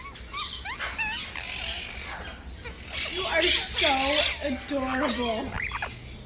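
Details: Indian ringneck parakeet in a pet store gives a quick run of varied, bending chirps and squawks, some almost speech-like, over a steady background hiss.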